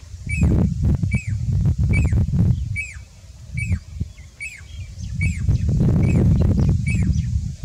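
A pied cuckoo gives loud, ringing, slurred whistles, about one every second, over a steady low rumble of wind or distant traffic.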